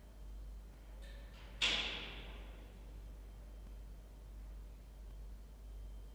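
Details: A single sharp knock or thud rings out once, then fades over steady low hum and quiet background hiss from a falcon nest camera.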